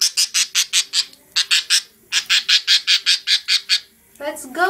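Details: A loud pet budgerigar, just bathed, gives a rapid run of harsh, scratchy squawks, several each second.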